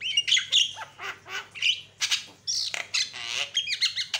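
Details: Javan myna lure sound meant to provoke other mynas into calling: harsh squawks alternating with sharp whistled chirps and buzzy bursts, delivered in rapid, irregular phrases with short gaps.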